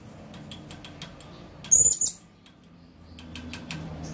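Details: Blue-crowned hanging parrot calling: one brief, very high, thin squeaky note at about the middle of the clip, with faint scattered ticks and clicks before and after against quiet background hiss.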